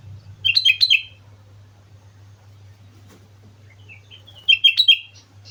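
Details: Sooty-headed bulbul singing on Mount Slamet: two bursts of short, bubbly whistled notes dropping in pitch, one at the start and another near the end, separated by a quiet gap with a steady low hum underneath.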